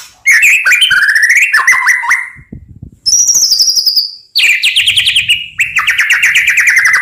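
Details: White-rumped shama in full varied song for tutoring: loud rapid whistled trills and rattling phrases, one starting high and sliding lower, with chattering notes between them and faint low background noise.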